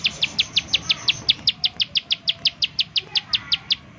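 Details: Bar-winged prinia, used as a lure to prompt other prinias to call, delivering about twenty crisp, high, downward-stroked notes in quick, steady succession before stopping.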